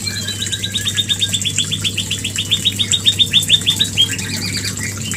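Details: White-rumped shama mating call used as a lure to trigger breeding: a rapid series of short descending chirps, about three a second, with a steady low hum and hiss behind.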